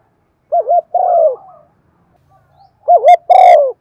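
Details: Decoy spotted dove of the Thổ voice style giving its calling coo: two phrases, each a quick wavering double note followed by a fuller, slightly falling coo, separated by a pause of about one and a half seconds.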